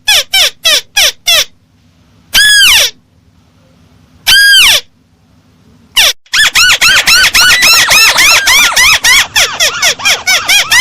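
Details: Crake call used as a bird-trapping lure: a few short clipped notes, two long loud downslurred calls separated by silence, then a fast run of short arched notes about four per second.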